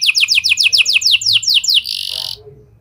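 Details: Canary with lovebird and prenjak phrases, used to get other canaries singing: quick series of falling sweeping notes, about five per second, ending in a harsh noisy buzz.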